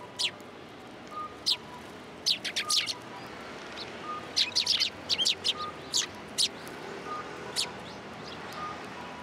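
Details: At a Tenmangu shrine on 7 January 2023, sparrows arrive at a pillar for food. Bright, high chirps come in scattered bursts, sometimes two or three close together. A soft, steady tone repeats faintly in the background.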